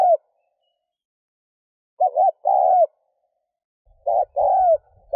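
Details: Spotted dove coos used to stimulate a decoy bird: three paired phrases, a wavering short note then a longer steady coo that falls at the end, separated by gaps of about two seconds.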